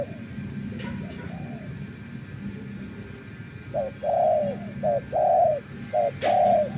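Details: After near silence with faint low hum, a decoy spotted dove used in trapping, tamed following days in the wild, starts a series of short-then-long coo pairs, with a sharp click near the end.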